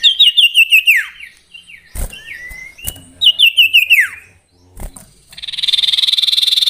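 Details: Common iora song variation with two bursts of rapid falling whistles that end in a long downward slur, separated by a gliding whistle and sharp clicks, then a steady buzzy trill.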